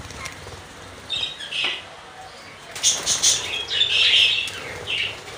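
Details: Hagoromo (double flower) exhibition budgerigars give short, high, scratchy chirps among bursts of fluttering wings.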